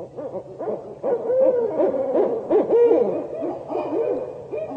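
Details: Barred owls, a pair calling in a loud, excited duet of overlapping hoots and wavering, cackling calls that rise and fall in rapid bursts. They are revving up territorial calls on hearing another pair or a lone owl on an established territory, often at night.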